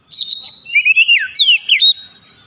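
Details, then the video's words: Oriental magpie-robin song played as a lure to get a quiet bird singing: bright, high whistled phrases with quick rising and falling slurs, sweeping notes tumbling downward, then a sustained high note. "PANCING KACER MALAS BUNYI"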